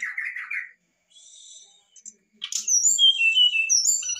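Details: Brown-chested jungle flycatcher, lively singer, giving varied fluted song to prompt a lazy bird: a short warbled burst, a faint thin whistle, a sharp chip, then a string of clear high slurred whistles.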